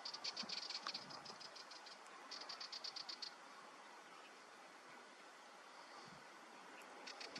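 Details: Curlew sandpiper (Calidris ferruginea), call.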